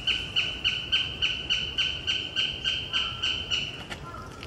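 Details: A northern goshawk at Mizumoto Park on 20 March 2024, resting from gathering nest material, gives a fast, even series of harsh, nasal kek notes, three to four per second, with a faint rustle; a black kite may be overhead.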